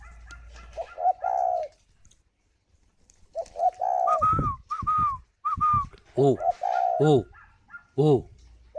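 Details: Caged spotted dove sitting on eggs in Ba Vì, Hanoi, Vietnam, giving several soft hollow coo phrases. A man's voice is heard between and over the phrases, and short low vocal sounds come near the end.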